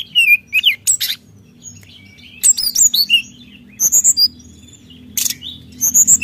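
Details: Brown-chested jungle flycatcher in energetic song aimed at provoking rivals: clusters of sharp high chips and down-slurred whistles, repeated in short groups with brief pauses between.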